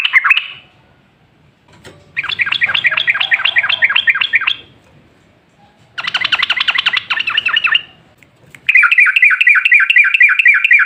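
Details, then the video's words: Lure recording of a yellow-vented bulbul in lively, long rapid song meant to make other bulbuls sing. Three bursts of fast, rattling, repeated chirps, roughly four per second, separated by near-silent gaps, after an opening short note. "Pancingan Trucukan PALING AMPUH ! Burung Langsung Ngalas | & Nyaut Gacor"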